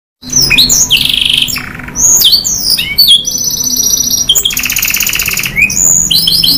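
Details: Canary in energetic 'gacor' song with long 'nembak panjang' bursts and 'isian' fill phrases: buzzy rolls alternate with high rapid trills and sharp upswept notes, a long dense buzz near the end.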